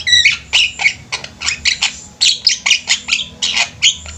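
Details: Several Javan mynas calling as a flock: a busy sequence of rough, buzzy squawks and short chattering notes, tightly spaced and uneven in rhythm, loud throughout.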